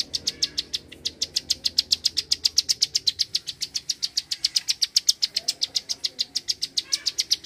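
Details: Bar-winged prinia delivering its tight, rapid 'klik' call: a long unbroken train of about forty sharp, high clicks spaced closely, about four to five per second. Faint low background murmur underneath.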